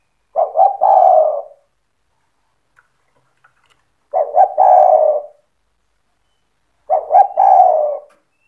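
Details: Spotted dove singing cetretan-style to make other doves answer: three evenly spaced phrases, each opening with two short stuttering coos and ending in a long, warm, descending coo, separated by quiet gaps of about three seconds.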